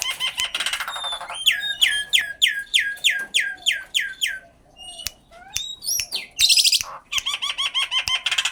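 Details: Common myna calling: a harsh rasping burst, then a fast run of about a dozen short, downward-sliding whistled notes, followed by scattered clicks, a grating chatter and a final string of quick repeated chirps.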